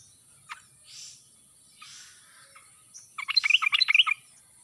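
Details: Yellow-vented bulbul with a wild-style voice, played as a lure to set lazy, quiet birds singing; after faint rustling, a one-second burst of quick, jumbled, liquid chirps closes the recording.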